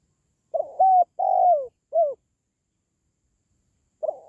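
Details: Spotted dove calling, meant to raise the spirit of kept doves or to lure wild doves: one soft three-note cooing phrase, a rising, a longer sliding-down and a short note, then silence before the next phrase begins.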